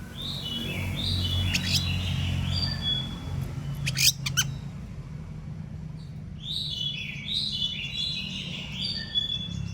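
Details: Oriental magpie-robin in morning song, meant to get other magpie-robins to answer: repeated sweet whistled phrases in two bursts separated by a quieter gap, with some sharp clicks and a steady low hum beneath.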